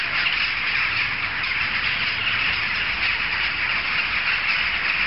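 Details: A jackdaw flock, audible several streets away, chatters without pause: countless short, harsh notes blend into one dense, even roar of calls.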